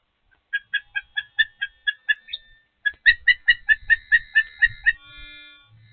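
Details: Osprey at Patuxent River Park Nest 1 during feeding: two bursts of clear, whistled, harmonic chirps, about ten evenly spaced notes each, the second burst louder and backed by low rumbling thumps.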